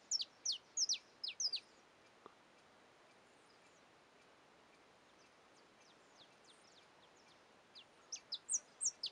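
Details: Young male saffron finch (Sicalis flaveola) at Caiapônia, Goiás, Brazil, calling in quick runs of four to six sharp, high, downslurred chips, with a fainter scattered series in between.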